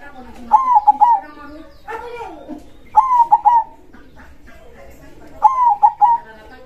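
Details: A perkutut, or zebra dove, singing loudly in krosing style: three three-part cooing phrases about two and a half seconds apart, with a lower voice-like sound between the first two.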